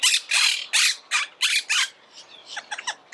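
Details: Harsh, grating squawks from Monk parakeets, six loud broad bursts in quick succession followed by softer, shorter chattering notes.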